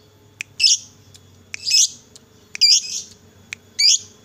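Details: Fighter lovebird sound used to coax other lovebirds into song: loud harsh high squawks about every second, each preceded by a thin click, over a faint low hum.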